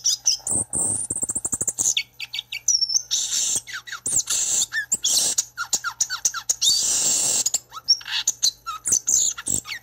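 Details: Violaceous euphonia song: a rapid, varied jumble of high chirps, sharp ticks, buzzy trills and short falling whistles, delivered almost without pause.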